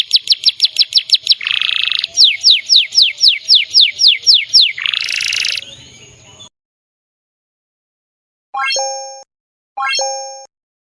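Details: Energetic canary song of quick repeated chirps broken by two short buzzy rasps. It stops abruptly and is followed by silence and two brief electronic rising tones.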